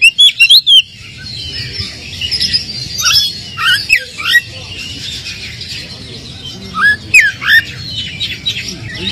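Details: Oriental magpie-robin lure song meant to provoke a sluggish bird into answering: loud clear whistled notes, rising and falling sweeps, with sharp bursts early on, over a low steady background hum.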